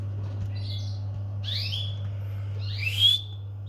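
A domestic canary gives three short, bright, upslurred chirps spaced about a second apart over a steady low electrical hum.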